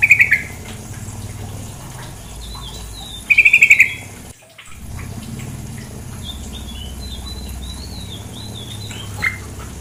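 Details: Female sooty-headed bulbul calling over flowing water: two short bursts of rapid, bubbly notes near the start and middle, followed by a softer run of high, slurred whistles, all over a steady water rush.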